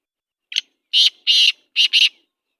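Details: Black francolin calling at night in Sindh: five loud, harsh, grating notes, a short first one, then two longer ones and a quick closing pair, against complete silence.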